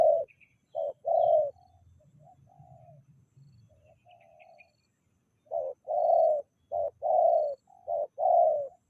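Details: Spotted dove uttering a couple of coos, then a quieter stretch of soft murmuring, before a fresh run of loud, rounded cooing notes closely repeated.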